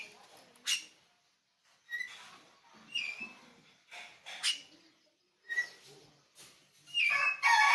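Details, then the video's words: Oriental magpie-robin known as kacer bali, pupuan, delivering a varied run of whistles, chirps and scratchy bursts at roughly two per second, ending in a loud jumbled warbling flourish. "kicau kacer bali , pupuan."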